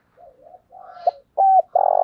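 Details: Spotted dove in thổ-style calling coo, played to train newly caught birds: soft, wavering low coos at first, then a clipped note, a firm level coo and the start of a longer buzzy coo cut off at the end.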